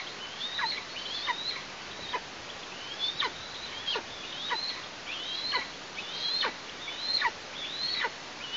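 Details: A young Eastern imperial eagle near its Tatarstan nest, fledged three days earlier on 14 August and heard nearby but not yet returned, gives high, thin yelping calls dropping sharply in pitch, a little more than once a second over soft hiss; 17 August 2023.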